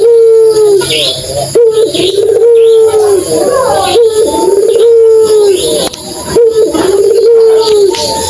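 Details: Puter dove, used as a lure to start other doves calling, repeating long level coos that fall slightly at the end, about every two and a half seconds, with faint talking nearby indoors.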